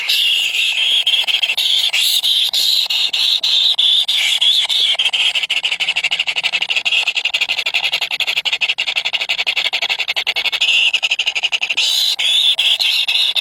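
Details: Baby birds, three of them and very hungry, keep up a long shrill begging chorus of fast flickering high cries, swelling briefly near the end.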